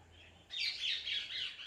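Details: Parrot letting out a continuous run of raspy, wavering screeches that start abruptly after a quiet moment and rise and fall in pitch, with faint background hiss.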